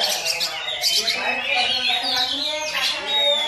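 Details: Newly kept young Oriental magpie-robin delivering a myna-style song. Nasal, harmonic squawks and chattering notes run continuously, ending in a long clear whistle.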